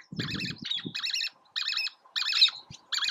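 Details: Least tern at Oso Flaco on May 31, 2019, giving harsh, buzzy, high chattering calls in short bursts about every second, with soft low rumbling beneath the first few calls.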